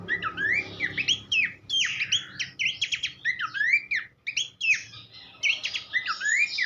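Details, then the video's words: Horsfield's babbler song meant as a master track for songbirds: dense bursts of chirps and slurred whistles in phrases broken by brief gaps. "vokal mewah sang guru masteran khas pelanduk semak."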